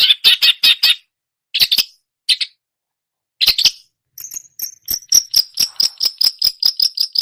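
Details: Long-tailed shrike mimicking songbirds: a run of rasping chatter notes, then a pause, then a rapid, regular series of thin, high, ticking chips, almost insect-like.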